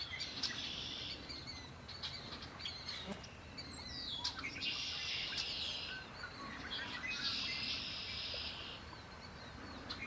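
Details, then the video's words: Birds singing by Lake Erie, with bright buzzy trills in bursts of one to two seconds, sharp chirps and thin rising whistles between them, over steady low outdoor background noise. "Birds singing by Lake Erie"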